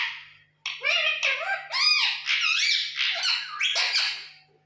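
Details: Pet parrot talking indoors: a string of squawky, speech-like syllables with rising and falling tones over about four seconds, in a quiet room.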